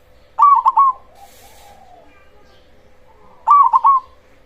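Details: Cemani-type zebra dove with a big, loud voice, used as a lure to provoke other zebra doves into answering: two bursts of quick, resonant three-part cooing about three seconds apart, over a steady low electrical hum.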